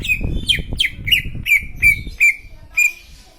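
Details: Green leafbird song: a series of sharp, downslurred chip notes about three per second, louder and more spaced near the end, over low rumbling and thumping background noise.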